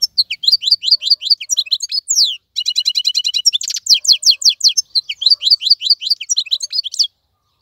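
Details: Wild-caught European goldfinch singing nonstop in a cage: continuous rapid high-pitched twitters, metallic trills and rattled note series, lively and varied for about seven seconds.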